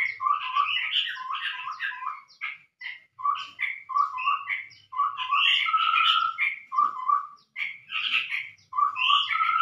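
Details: Chestnut-rumped babbler calls used as a lure: repeated short chattering bursts of paired whistled and buzzy notes, coming roughly every second, with one longer steady whistle near the middle.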